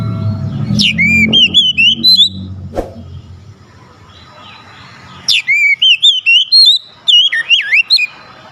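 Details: Oriental magpie-robin song for stirring a lazy magpie-robin into singing: two bursts of rapid, slurred whistles rising and falling, separated by a quiet gap with low rumble and a click.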